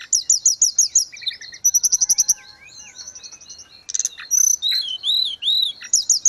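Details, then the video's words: Lively grey-cheeked bulbul song, used as tutor and therapy audio for kept birds: fast repeated high chirps, a rapid buzzy run, softer twittering, then clear arched whistles and a final quick chirp series. "Terapi tledekan gunung _gacor"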